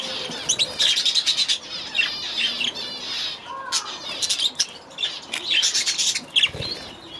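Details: Young budgerigars in their first days in a new aviary, released at the start of the season, pour out dense rapid warbling chatter of buzzy, rippling high notes in quick bursts.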